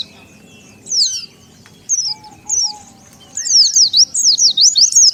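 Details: Oriental white-eye call used as a lure for wild birds: a few isolated high sweeping chirps, then a fast twittering run of zigzag notes.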